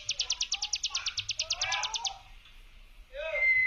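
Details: Hill prinia brem lure song. About two seconds of quick buzzy high pulses stop abruptly, then a short pause, low chirps and a thin whistle follow, with background birds calling.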